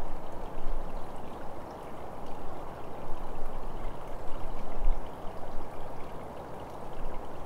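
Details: Rushing, pouring water like a stream or rain, with no animal sounds.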